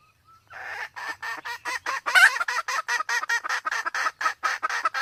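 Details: Sumatran red junglefowl pair, female in heat, used to lure birds when hunting: a fast, steady stream of raspy, nasal clucks, about four per second, growing louder midway and continuing without break.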